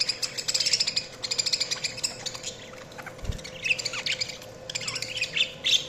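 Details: Budgerigar chirping: a fast scratchy chatter at the start, then varied whistled chirps and buzzy notes, with one low thump and a constant faint hum.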